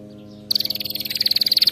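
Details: Canary singing used to train pet canaries: after a faint note, a sharp high trill of very rapid, evenly spaced pulses runs without break for over a second.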